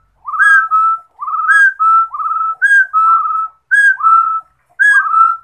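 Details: Rufous-throated partridge singing: clear whistled phrases, each a short upslurred note running into a longer level whistle. The phrases are paired and repeat roughly once a second, with brief silent gaps and no other sounds.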